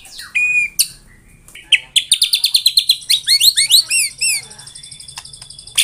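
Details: White-rumped shama singing tembakan rapat, a dense rapid-fire song: a few sharp whistles, then a quick string of high repeated notes and hooked slurs, trailing into a thin high trill.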